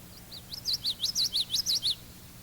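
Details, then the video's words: Male common yellowthroat song with normally connected notes giving a rolling quality: a soft lead-in note, then a rapid string of high, linked, swooping phrases repeated about eight times within two seconds, over faint tape hum. "The notes of the yellowthroat's vocalization are normally connected, and this gives a rolling quality to his song."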